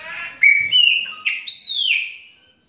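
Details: Captive Chopi Blackbird (pássaro-preto) during mating: a loud, clear whistled phrase, a short opening note then longer sliding whistles, one jumping up sharply and falling slowly back, rich in overtones, against a quiet background.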